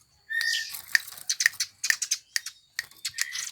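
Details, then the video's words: House sparrow-type songbird sought by songbird hobbyists, giving sharp chirps and short buzzy notes with a few clear whistled tones, in bursts separated by brief pauses. "Burung Gereja yang Banyak dicari Kicau Mania"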